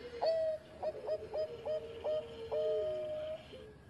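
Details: Former champion zebra dove singing in engkel style: a run of short rising-then-level coos, repeated about twice per second, closing with a long drawn tone over background hiss.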